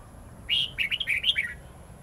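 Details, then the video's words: Wild-style giọng rừng song of a red-whiskered bulbul, long and twisting, played to teach young birds: a bright whistled opener followed by about six fast, looping warbles dropping toward the end, with a soft background rumble. "Chào mào hót giọng rừng âm dài xoắn cực hay/Dùng luyện chào mào non,má trắng học giọng rừng"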